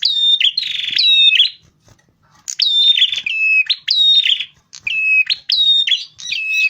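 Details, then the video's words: Rufous-fronted prinia lure song, loud and persistent. An opening buzzy rattle is followed by a silent gap, then a run of high whistled phrases alternating between two pitches, each ending in a short buzz. "suara masteran pikat prenjak kepala merah gacor"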